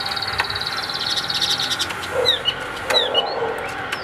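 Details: Chinese hwamei (Garrulax canorus), a captive bird for sale, singing a rapid run of high chattering notes, then loud clear whistles that slur up and down, with faint background hiss.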